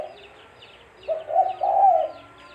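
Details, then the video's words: Spotted dove (tekukur) lure call for trapping: a single low coo phrase, a brief note then a long smooth drawn-out coo, with soft high chirps of other birds behind. "Suara Burung Tekukur-Suara Tekukur Buat Pancingan Mikat"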